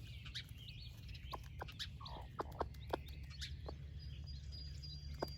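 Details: Broody splash laced red Wyandotte hen sharing breakfast with her baby chicks makes short, low clucks at irregular intervals, mixed with the chicks' high bright peeps and one drawn-out descending note midway.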